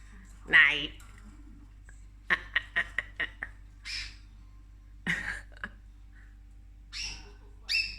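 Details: Pet cockatoo, caught eating orchids indoors, lets out one loud rasping screech, then a run of sharp clicking ticks and several shorter scratchy calls spread over eight seconds in a quiet room.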